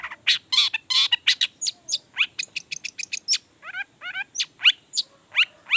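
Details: Long-tailed shrike in full, fiery song meant to provoke other shrikes into answering: a rapid run of varied sharp chirps, buzzy bursts and rising slurred notes, with several quick notes packed into each second.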